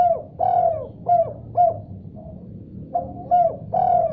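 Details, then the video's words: Spotted dove answering vigorously after hearing another call: a string of mellow, hollow coos, several short notes in quick succession, a brief pause, then more coos, with a soft low rumble underneath. "Tekukur Diam Seketika Langsung Respon Nyaut Gacor Setelah Dengar Suara Ini"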